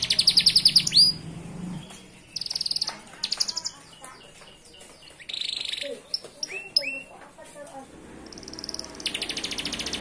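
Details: Canary in full, lively song packed with varied phrases: high buzzy trills, rapid rattling rolls and short chirps in quick succession, with some faint background noise.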